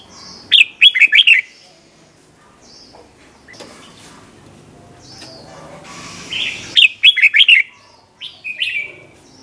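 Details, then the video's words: Red-whiskered bulbul song in the 'berl' doubled style, the '100 professions' tune used to train young birds: a rapid warbled phrase of five or six chirpy notes, a long quiet gap with faint chirps, then the phrase again. "เสียงนกกรงหัวจุกเบิ้ล เพลง100อาชีพ สำนวนเพราะมากๆ สำหรับสอนนก-ปั้นนก"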